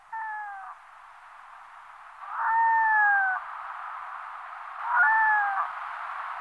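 A Red-throated Loon gives three plaintive, mewing wails, each about a second long and gently falling, spaced a couple of seconds apart over a steady background hiss.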